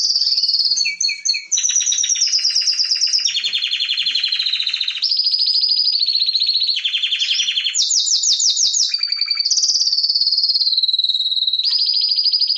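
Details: White-rumped shama of the pied blorok captive strain singing a long clear masteran sequence: unbroken chains of high buzzy trills and whistles stepping between pitches, with a short run of fast downslurred notes.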